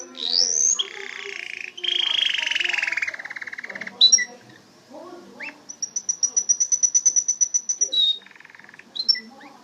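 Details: Canary song: a rising whistled sweep, then a long, slowly falling low roll, followed by a pulsed high trill of about twenty evenly spaced notes and a short lower roll.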